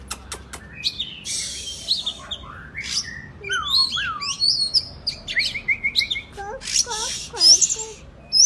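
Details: Oriental magpie-robin, Indonesian kept songbird, singing to encourage silent birds to respond: rapid sequence of varied whistles, descending slurs and raspy bursts, ending with repeated short downward notes.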